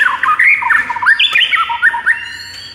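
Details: Actively singing white-rumped shama, morning masteran training recording: a rich, fast tumble of varied whistled phrases that slide up and down, with a sharp click partway through.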